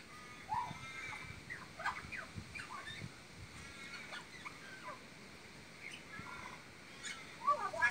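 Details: Magpie mimicking horse and parrot sounds: scattered short chattering and squeaky notes, some rising and falling, spaced irregularly through a steady hiss, with a louder burst of squeaks near the end.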